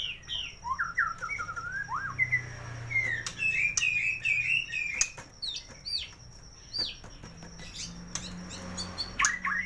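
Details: White-rumped shama from a North Jakarta bird kiosk delivering a mimicry-filled 'isian' song meant to prompt silent birds: rich looping whistles and warbled phrases in quick bursts, broken by sharp clicks, over a faint high hiss.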